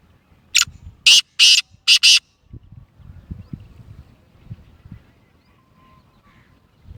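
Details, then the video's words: Kala teetar, the black francolin, a Gangas–Sheedi–Lakka cross known for a nasal voice, gives a loud rapid string of five harsh, scratchy, buzzy notes in under two seconds, followed by quiet low rumbling background noise. "Nasal Black Franclion Voice Kala Teetar ki awaz"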